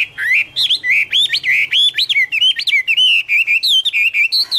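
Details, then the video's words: Garrulax canorus, the Chinese hwamei, in full autumn song: a continuous stream of loud, richly varied whistled notes, each swooping up or down, delivered almost without pause. "" Autumn Love Song " Bird Garrulax canorus Singing- Birdsong"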